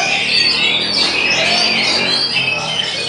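An Oriental magpie-robin pours out a loud, dense run of high, varied whistles and harsh chattering notes, with other birds possibly singing close behind.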